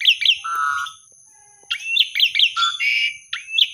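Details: Asian pied starling singing, used to encourage silent or sulking starlings. Quick descending whistles and a long, level, buzzy note are followed by a near-silent gap, then rising slurs and chirps resume over a constant high-pitched electronic whine.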